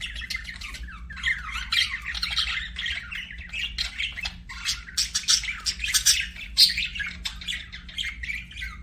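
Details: Pet budgies keep up a steady scratchy warble of overlapping chirps and brief squawks, with a few sharp high squeaks near the end and a constant low hum underneath.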